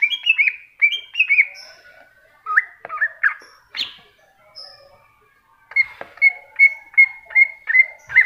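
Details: Masteran song of a greater green leafbird, cucak hijau: quick down-slurred whistles, then scattered chirps and a quiet gap, ending in a steady string of repeated sharp whistled notes.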